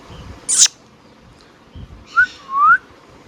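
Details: Indian ringneck parakeet kept at home: a harsh broad squawk, a pause, then a short whistle and a longer rising whistled note.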